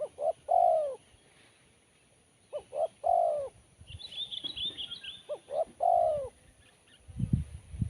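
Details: Crisp, sharp cooing of a spotted dove in Kuk 1 style. Three phrases, each two quick hooked notes then a drawn-out descending coo, about every 2.7 seconds. Small birds twitter briefly in the middle, with a low thump near the end.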